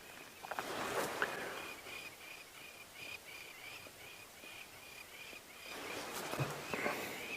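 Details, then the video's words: At sunrise on a cloudy 21 August 2016, on an African safari drive over open ground, noisy lapwings call constantly overhead in a run of short, sharp, high notes, about three each second; wind rushes loudly at the start and end. "lapwings up in the sky. Can"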